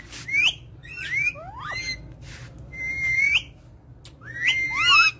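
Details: Ringneck parrot producing whistled calls: clear, bright notes that swoop up and down, several sharp downward-curving squeals and a held level whistle, with short pauses between phrases and soft background hum.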